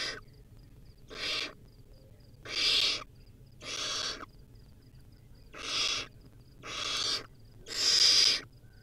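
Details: Barn owlet at a wild nest, eating a rodent: seven broadband hissing screeches, each under a second, gradually growing louder, with soft high-pitched ticks between them.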